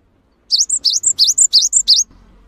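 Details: Cinereous tit; song; provoking other tits to sing in response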